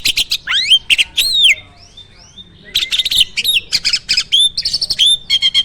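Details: Caged starling singing heavily with fill-ins: arching whistles and chirps, a brief soft warble in a lull, then dense buzzy notes and quick repeated clicks.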